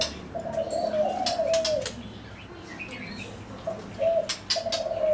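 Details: Zebra dove calling: soft, low cooing notes in short trilled phrases, one longer run of notes then a pause and a few more brief coos; other birds chirp faintly in the background outdoors.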